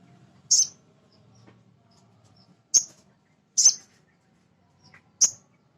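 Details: Male sogon, a small nectar-eater, whose calls serve to excite young birds into singing: four loud, piercingly high chips, each short and clipped, separated by irregular pauses of one to two seconds.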